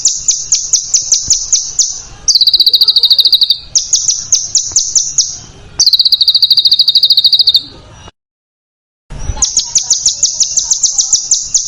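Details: Master track for training contest birds, made of dense, harsh screeching: very high buzzy trills of fast repeated notes in long bursts, switching pitch between bursts, with a one-second silent break.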